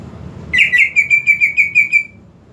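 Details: Song of a greater green leafbird used to prompt a silent bird: a bright opening note followed by a fast, regular series of about eight ringing whistles.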